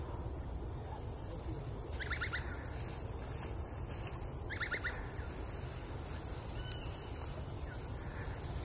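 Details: Lone female great slaty woodpecker in Singapore, likely the same bird seen since 2018 after a 40-year absence, giving two quick bursts of clipped, whinnying notes a few seconds apart over a steady high insect drone.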